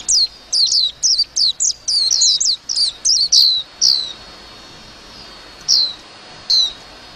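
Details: Twittering song of a warbling white-eye: about four seconds of quick, high, downward-sweeping chirps in close succession, then a few isolated notes spaced over a second apart.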